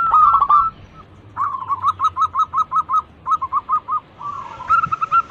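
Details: Local zebra dove (perkutut) as a lure to draw other birds into song: opening coo, then a long steady series of short cooing notes about every quarter second, ending in a drawn-out rising coo.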